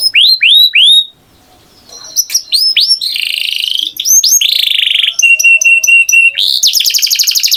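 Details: Canary song with varied tours: a few curved whistles, a pause, then rapid chips, a buzzy trill, a flat sustained piping note and a closing fast high rattle.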